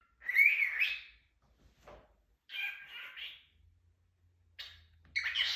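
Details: A pet cockatiel giving kisses produces bursts of harsh, warbling chirps, each lasting about a second, with short pauses between them.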